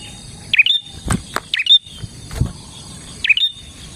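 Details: Bar-winged prinia in gacor song used to lure prinias: three high, clipped swooping chirps, interrupted by several dull knocking clicks in between, with a faint steady hum.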